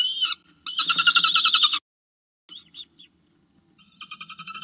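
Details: Falcon begging to be fed at its nest: a harsh rasp, then a loud, fast chattering run of pulsed notes, a silence, a few softer whining calls, and a quieter rapid chatter to close.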